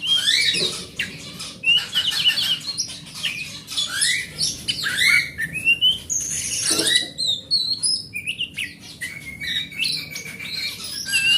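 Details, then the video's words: Rich, continuous forest oriental magpie-robin song meant to spur a silent magpie-robin to sing: piercing whistles, upward slurs and buzzy rattles delivered in a dense, ever-changing stream, with a low hum underneath. "Suara Master Burung Kacer"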